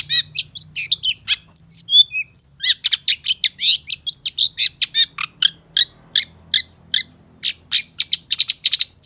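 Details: Long-tailed shrike singing nonstop, meant to prompt other shrikes to sing: a few clear whistled notes early on, then a dense run of rapid, scratchy, clicking notes at a steady fast pace.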